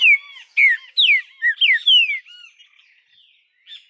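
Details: A captive Green-winged Saltator (trinca-ferro), recorded 2 August 2020 in Araruna, Paraná, gives a quick phrase of six loud, rich whistles, each slurring downward, over about two seconds, then a few soft trailing notes.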